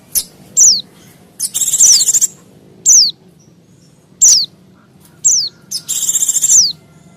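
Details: Mountain white-eye lure calls, used to attract wild white-eyes and other small birds: sharp, high descending whistled notes repeated every second or so, mixed with fast buzzy chatter bursts over a low background hum.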